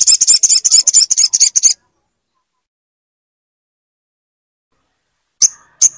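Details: Rapid high trill from a crimson sunbird (sogon) running nearly two seconds, then silence and two sharp separate chips, played to stimulate a silent bird to sing.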